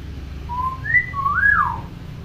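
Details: Tame talking hill myna, said to copy any sound clearly: a short flat whistle, then a higher slurred note and a longer rising-falling whistle, against steady low indoor hum.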